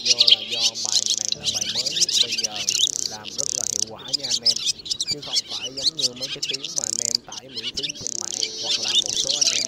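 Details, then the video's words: Black white-bellied swallows calling the flock back to roost, used as a net-trap lure; dense, overlapping high twittering and chattering runs through the whole stretch, with lower, rapidly repeated chirps and buzzy notes beneath. "Tiếng ÉN Đen Bụng Trắng Gọi Bầy Về Ngủ"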